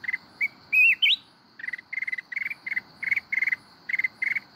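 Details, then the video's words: Red-whiskered bulbul, a mountain bird, giving the forest-voice 'kít bổi' song: an early looping whistle that climbs sharply, then a steady run of quick chirping bursts repeated about twice a second, with a constant high hum behind. "chào mào núi hót giọng rừng kít bổi cực hay"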